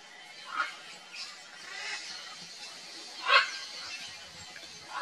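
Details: A red-and-green macaw (Ara chloropterus) of a nesting pair gives harsh, raspy squawks, four or five spaced over a few seconds, one much louder than the rest, over a steady background hiss.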